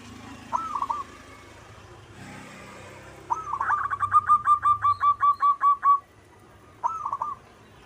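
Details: Local zebra dove cooing: a short stuttered phrase, then a long run of about a dozen evenly spaced rhythmic coos, and a final brief phrase over low rumbling background noise.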